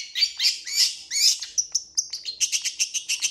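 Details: Long-tailed shrike giving drawn-out harsh rasping notes that give way to a quick series of clipped, high chirps repeated several times a second.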